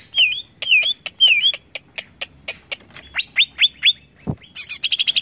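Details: Cucak ijo, the greater green leafbird, singing a song meant to provoke other birds: three slurred wavy whistles, sharp clicks, then a run of rising upslurred whistles ending in a fast stuttering trill.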